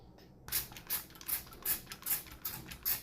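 A parrot copies falling water with a string of soft, hissy drip-like pops, about one every half second, after a brief quiet start.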